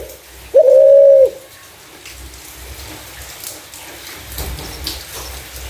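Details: Spotted dove with a clear voice, a recording used as a lure for other doves: a single steady mid-pitched coo lasting under a second, then only a faint low hum and background hiss.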